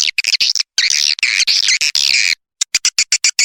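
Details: Swiftlet lure call used to attract swiftlets: loud dense chattering bursts of high twittering chirps, broken by short gaps, then a series of quick sharp clicks.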